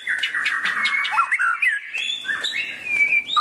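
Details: White-rumped shama singing a dense, varied stream of warbled and whistled notes, mixing slurred upward and downward phrases with short harsh chips, continuous throughout.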